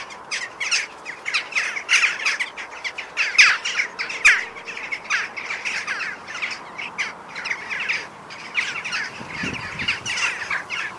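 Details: Jackdaws calling together, a continuous chatter of many overlapping harsh, clipped 'chak' notes, roughly one burst per second, over a steady background hiss.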